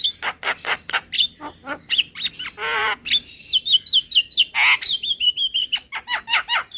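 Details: Super kenyih lure call from a Javan myna: rapid harsh chattering with a buzzy, strongly harmonic squawk, then a descending series of short whistled notes and more sharp clicks.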